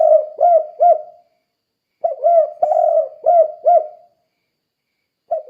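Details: A spotted dove, calling to train other doves to sing, gives phrases of short low coos. Three coos, a gap, then a longer group of five, then a further phrase begins. Repeated 'kuk 2' call style.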